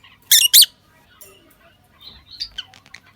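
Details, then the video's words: Captive lovebird pair in a breeding setup during the 2023 breeding season: two loud, harsh, shrill chirps close together near the start, followed by softer scattered high squeaks and faint chatter. "lovebirds jora masti breeding season || 2023season chirping sound"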